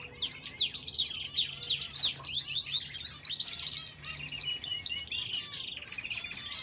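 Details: Finches kept in an aviary together with a canary, many birds calling at once: a dense, continuous mix of high, quick chirps and short twittering notes, with rapid overlapping phrases throughout.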